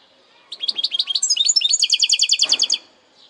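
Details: Goldfinch hybrid (saka melezi) singing a segmented song: a rapid run of high bright chirps, then a fast trill of repeated paired notes for about a second, ending abruptly.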